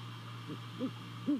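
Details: Great horned owl appearing at a nest in Savannah on 28 December 2020 at about 2:39 a.m., picked up by a nest camera: three soft, low, short hoots rising in loudness, over a steady electrical hum.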